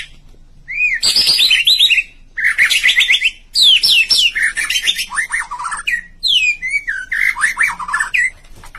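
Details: White-rumped shama singing in rich bursts of rapid chirps and sweeping whistles between about 1.5 and 6 kilohertz, phrases lasting one to two seconds with brief pauses, fast trills of descending notes; faint low hum in background.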